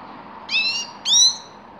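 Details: Grey-crowned goldfinch giving two loud, high, bright harmonic calls about half a second apart, each a short downslurred note over a quiet background hum.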